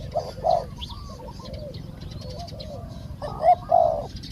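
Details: Spotted dove heard during decoy trapping in Thailand, with a caged bird drawing in a wild one. Two soft coos open the clip, then a quiet stretch with faint notes, and two louder hollow coos close it.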